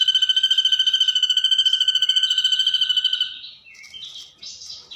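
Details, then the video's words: Mimicking ashy drongo copying the 'kunti' ghost sound: three seconds of loud, fast, evenly pulsed high tone, then softer varied twittering notes. "Masteran burung srigunting nembak suara kunti"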